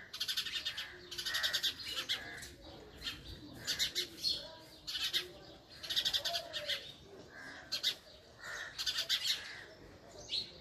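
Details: Short bursts of bright, clipped chirps from a female house sparrow, each cluster lasting under a second and repeated roughly once a second, with faint lower background noise.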